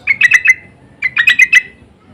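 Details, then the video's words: Sooty-headed bulbul calling insistently as a lure, with calls answering back and forth: two quick bursts of four or five bright chattering notes, separated by a short pause. "Pancingan dan panggilan burung trucuk saling bersahutan❗suara ngotot"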